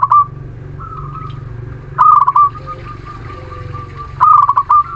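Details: Local Muria zebra dove singing, used as a lure to stimulate reluctant birds to sing: short rolling, staccato cooing bursts about every two seconds, with steady low humming background noise throughout.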